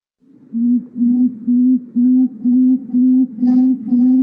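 A Tawny Frogmouth gives a deep, soft, humming 'oom' repeated steadily about twice a second, each note even and low-pitched.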